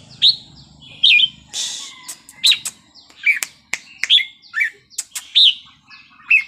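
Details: Red-whiskered bulbul giving a Thai wild-style song. Clear whistled phrases are spread across the stretch, with sharp clicks and a short rushing sound early on, against a quiet background.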